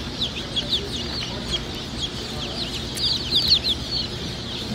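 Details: A group of Easter Egger chicks at a hatchery, peeping: many thin, high, short peeps overlapping at an uneven pace, busier near the end, over a steady background hiss.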